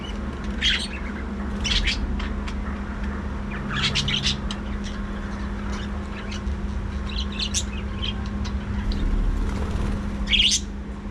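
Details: Budgerigar breeding colony kept in an aviary, giving scattered bursts of harsh, scratchy chirps and squawks every second or two, with quieter twitter between them over a constant low hum.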